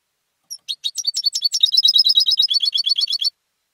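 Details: Competition European goldfinch, raised at home, sings a fast accelerating run of high twittering notes, starting with scattered sharp chirps and settling into a dense, even trill of repeated chirps lasting nearly three seconds.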